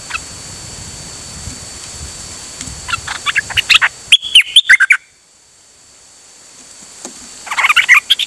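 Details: Pied fantail singing without pause on 8 September 2023: quick chips lead into a loud phrase of swooping squeaky notes, a brief quiet gap, then another rush of bright chattering notes, with low rumble behind.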